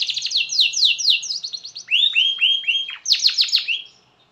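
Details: Canary song used to make other canaries sing along: fast high repeated trill phrases, a run of four clear descending whistled slurs, then another rapid trill fading out.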